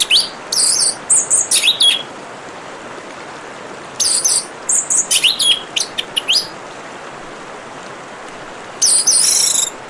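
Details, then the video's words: Orange-headed thrush delivering loud, varied phrases of quick high whistles, trills and slurred notes in three bouts several seconds apart, with a soft background hiss of flowing water. "Terapi Kicauan Burung Anis Merah dan suara Gemericik Air"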